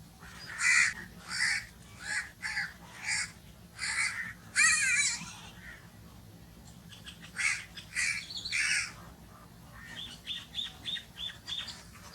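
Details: Rapid series of harsh crow caws, a quieter gap, then another cluster of caws tailing off into fainter, clipped calls.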